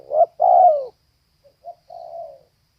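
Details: Female spotted dove: a short rising note and a strong, drawn-out descending coo, then a tiny pause, a faint click and a quieter, longer coo fading away. The surroundings are silent.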